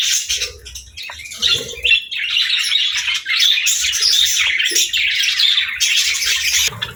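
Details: Pet budgie chatter: quick chirps at first, building into a steady run of scratchy, twittering warble with squeaky notes mixed in, alongside faint low tapping sounds.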